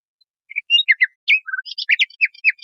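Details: Common nightingale song, with phrases selected for teaching canaries and other songbirds: a quick string of varied short chirps and whistled notes, some rising, others falling, in a clean recording without background sounds.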